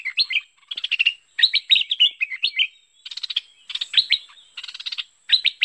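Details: Bulbul, known locally as merbah pet pet or lekir, calling in a 2021 recording used to lure the bird: quick bursts of bubbly, chattering notes and short rising whistles, grouped into phrases with brief pauses between them.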